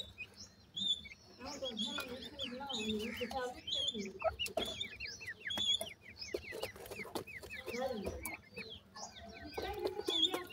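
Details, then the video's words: Grey francolin chicks during feeding: a busy stream of thin, high peeping chirps and short downward-sliding notes, overlapping one another, with a few lower clucking sounds and faint handling noises underneath. "gora francolin chicks feeding,teetar ki boli"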